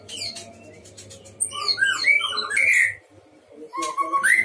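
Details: Caged white-rumped shama singing energetically at a breeding pen: varied whistled and slurred phrases, rising and falling notes with quick chattering bursts and a pause before a final rising whistle; faint low hum underneath.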